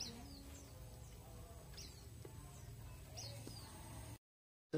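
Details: A kept white-eye (pleci) gives its general double contact call to other birds: thin, high double notes about every one and a half seconds, over a low hum and faint talking.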